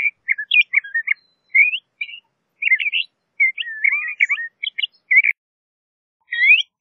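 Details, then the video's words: A LeConte's thrasher sings varied short warbles and twisting whistles in bursts separated by brief silences, ending with one last phrase after a longer gap. "LeConte's Thrasher Song! LeConte's Thrasher Call - Cuitlacoche Pálido Canto"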